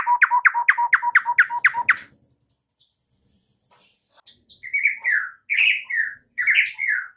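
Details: Master song of a white-rumped shama for training caged birds: a rapid run of eight identical stuttering notes, a pause with faint soft twitters, then loud, harsh, buzzy phrases in bursts.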